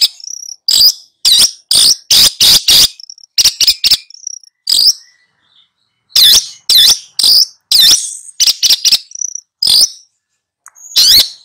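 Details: Long-tailed shrike, a master bird in full 'gacor' song while tutoring two young birds, gives loud harsh, buzzy high bursts in irregular volleys separated by short silences.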